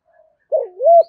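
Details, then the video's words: Decoy spotted dove with the prized deep 'thổ' voice style gives a soft, low coo. A faint short note comes first, then a rich two-part hoot that dips and rises, with no other sounds. "Chim Cu Mồi, cu gay giong tho cuc dinh"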